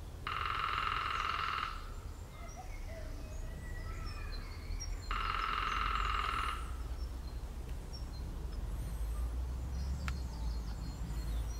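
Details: Lesser spotted woodpecker drumming at Langdon Hills, Laindon, on 5 April 2018: two long, even drum rolls of about a second and a half each, a few seconds apart; faint small-bird chirps and low background rumble.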